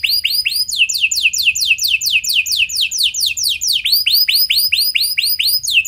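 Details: Canary pouring out a fancy, long-running lure song meant to coax other canaries into singing: steady strings of loud high swooping notes, several per second, switching to a slightly different sweep pattern partway through.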